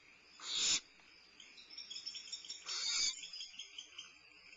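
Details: A barn owl owlet at Starr Ranch eats at midnight on 22 May 2011; two rough hissing screeches a couple of seconds apart, separated and followed by soft scratchy rustling sounds.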